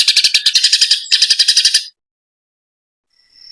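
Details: Eurasian tree sparrow during a fight: two bursts of rapid, shrill, scratchy chirps, about four per second, then silence and a faint high whistle at the end.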